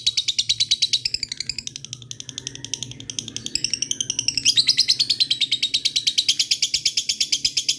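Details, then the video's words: Chattering ngekek song of a lovebird, used to call rivals: rapid harsh high notes in a long run, with brief sweeping squeals midway before the steady chatter resumes; low background hum. "suara burung lovebird ngetik ngekek"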